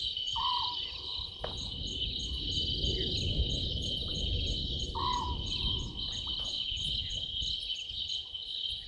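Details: An owlet in a tree at a waterhole on Djuma Game Reserve, Sabi Sand, South Africa, at 00:38 on 11/12/2023, gives two clear whistled notes about five seconds apart, each rising then holding steady, over a shrill night-insect chorus.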